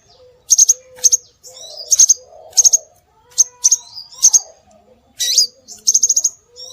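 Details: Scarlet minivet calls played as a bird lure: sharp, high whistled chirps in tight groups of two to five notes, repeated roughly every half second to second, with an occasional rising slurred note and a faint low drone.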